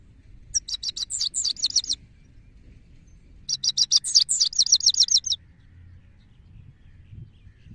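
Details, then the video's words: Two bursts of bright, high twittering from a male goldfinch, each about one and a half to two seconds of fast slurred notes, separated by a quiet pause, with faint low background rumble. "Goldfinch bird singing in fresh mode سایره نر"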